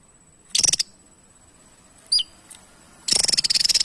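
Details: Javan tesia gives a short high rattled burst, then a lone sharp downslurred chip and a faint tick, before breaking into a longer dry, fast rattling trill.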